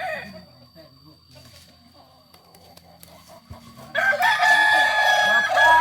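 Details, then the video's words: Kokok balenggek roosters at a joint practice meet in Solok. Faint distant crowing for about four seconds, then a loud burst of several overlapping, wavering, stepped crows. "latberan ayam kukuak balenggek di solok"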